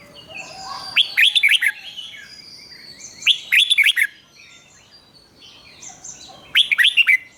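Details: Caged red-whiskered bulbul singing a doubled 'berl' style song, played for young birds to copy: three bright, warbled phrases of rapid rising and falling whistled notes, each about a second long, spaced several seconds apart, with faint chirps of other birds between.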